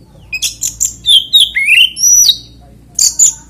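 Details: Oriental magpie-robin, kacer, singing a varied 'ngeplay' song used as a lure to make other magpie-robins sing: clear whistled slurs and sweeps, some rising, others falling, with short high chirps in between, two bursts separated by a pause.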